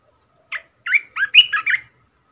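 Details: ['Caged decoy Red-whiskered bulbul gives one short note, then a fast phrase of five cheerful, liquid whistled notes that rise and fall, in a quiet setting.']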